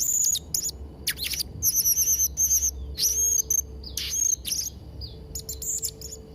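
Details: Blue-crowned hanging parrot singing, as material for training young birds: dense bursts of shrill, high chirps and thin whistles, some rapid and stuttering, broken by brief pauses.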